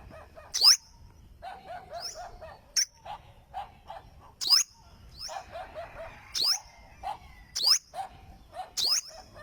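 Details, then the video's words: Olive-backed sunbird song made of piercing high slurred notes at irregular intervals, with quick bursts of softer, lower chattering notes in between. "Olive Backed Sunbird Singing - Suara Burung Madu Sriganti"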